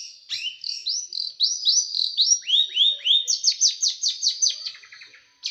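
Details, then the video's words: Small bird pouring out a tight, sharp song for training caged birds: repeated upswept whistled notes, then a quick rhythmic volley of down-slurred notes and a brief rattle. "Masteran burung kecil nembak"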